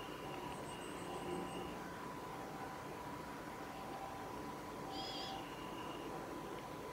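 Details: A male Pale Thrush in a nature observation garden on 7 January 2018 gives a thin, high drawn-out call, then a brief sharper burst about four seconds later, over a steady low hum.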